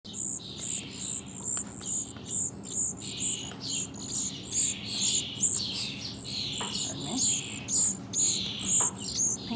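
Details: Two very young towhee nestlings, one California Towhee and one Spotted Towhee, in wildlife rehabilitation care after falling from their nests, give thin, high, sharp chirps, about two each second, in an overlapping, insistent chorus; faint voices murmur underneath.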